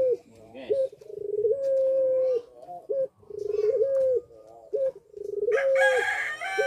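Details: Caged puter pelung (Barbary dove) in breeding condition, cooing actively: low, steady coo phrases, each swelling then holding a flat tone before a short hooked note, repeated about every two seconds; a harsh, broad rasping burst near the end.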